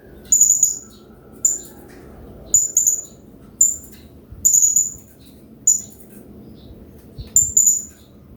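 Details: Song of a hanging parrot offered as master audio to stimulate other birds to sing: high, squeaky chirp bursts repeated roughly every second, some doubled, accompanied by the quiet rush of water.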